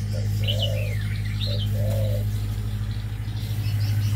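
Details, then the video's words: Male red-whiskered bulbuls kept in an aviary: short bright slurred whistles rising and falling. Low cooing notes repeat beneath them, over a steady mechanical hum. "chim chào mào đầu lân hót cực hay, Chào chào trống"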